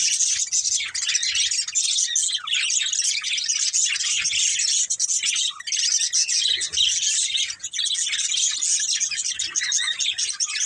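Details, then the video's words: Several pet budgerigars, a budgie family, produce an unbroken wash of high, scratchy chirping and twittering, nearly constant in loudness throughout. "Cute Budgies Chirping Sounds"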